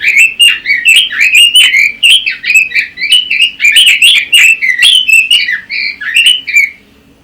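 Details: Pekin robin pouring out a fast, loud warbling song of tumbling whistled notes with sharp high accents, continuing for about seven seconds before fading to quiet.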